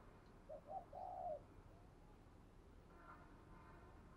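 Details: Decoy spotted dove cooing to draw out rival doves: three low, mellow coos in quick succession, the last one longer. Quiet follows, with faint background noise and a sharp sound at the very end.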